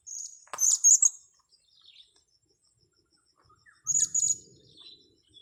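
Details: Blue-crowned hanging parrot being lured for trapping and caught on grass: two bursts of very high, thin, sharp chirps, a few quick notes each, separated by about three seconds of quiet, with a faint steady insect whine behind.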